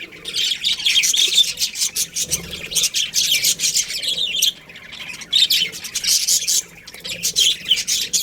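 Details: Busy colony of budgerigars chirping, rapid squawky notes overlapping in a loud chorus that briefly quietens twice before resuming.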